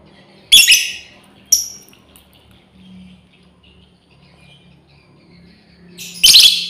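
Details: Lovebird female calling her companions: a shrill screech, a shorter sharp chirp a second later, then another loud harsh screech after a long quiet gap.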